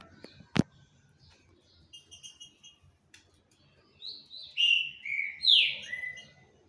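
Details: A singing green-winged saltator: a sharp click and a few soft high notes, then a loud phrase of sweet whistles, each sliding down in pitch, the last drawn out and fading.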